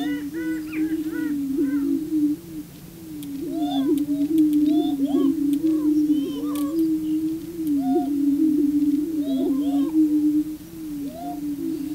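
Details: Prairie chickens on their booming grounds, males displaying to attract females: a steady low humming drone of overlapping booms, with short rising whoops and clucks scattered above and occasional sharp camera clicks.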